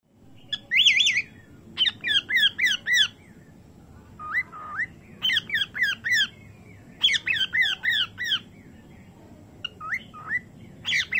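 A cockatiel gives bursts of shrill, rising-and-falling whistled chirps in quick repeated runs.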